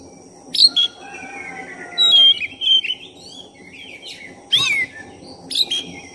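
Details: Oriental magpie-robin, black-chested type, in continuous song meant to raise another bird's fighting mood: varied whistles, long gliding notes and quick slurred chirps tumbling one after another, with a steady high hum underneath.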